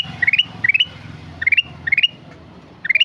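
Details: Ruby-throated bulbul (kutilang emas) singing lively: a quick rising phrase of four to five bright ascending notes, repeated about every half second with pauses, over a faint low background rumble.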